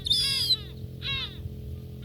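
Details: Gulls feeding at close range in Northern Kazakhstan; two harsh, richly harmonic calls in quick succession, the first longer and drawn out, the second shorter, over a low steady background hum.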